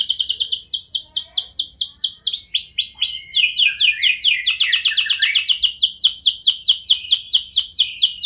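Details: Canary singing to draw a response from other canaries; bright descending notes give way to arched whistles, then a long, steady, rapid trill of repeated downward sweeps fills the rest.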